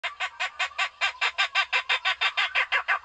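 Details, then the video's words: Barbet call used as a decoy sound to lure barbets for trapping: a fast, even series of short, rich hooting notes, about three per second, with no other sounds. "เสียงนกโพระดกต่อมารเข้าเร็ว เสียงนกเสียงนกโพระดก ສຽງນົກ ຂອນໂດກ"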